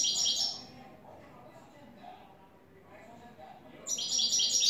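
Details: European goldfinch, a new bird, in clean "tres vueltas" style song: a bright, high tinkling phrase opens, a long quiet gap follows, then another rapid twittering run begins near the end.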